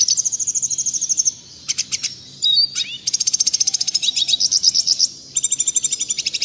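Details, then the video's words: Clear red siskin song used to tutor caged birds: a thin sustained high buzz, brief pauses, then long fast rattling trills of high notes repeated steadily. "Masteran burung redsiskin suara jernih."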